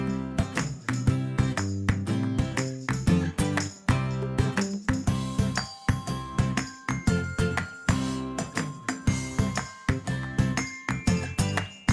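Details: Jingling, bell-like instrumental music with steady rhythmic strikes plays throughout, with no animal voice heard.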